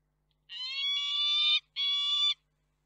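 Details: At a Reda, Poland nest on 4 May 2023, peregrine falcon parents exchange food: two loud, nasal, whining calls, the first longer than a second, the second shorter, in quiet surroundings.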